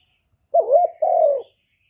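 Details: Spotted dove cooing to lure and stimulate other doves, recorded without background noise: a wavering low coo, then a brief pause and a longer, steady, softly descending coo.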